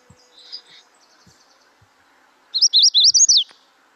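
A Magnolia Warbler sings a short, fast burst of high, slurred whistled notes, about a second long, after a faint high twittering.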